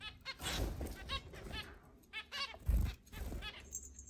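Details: Zebra finches from a group of eight kept in a large cage and let out to fly around a house, July 2022: short nasal, buzzy calls in quick clusters, some repeated beeps, with low thumping household noise.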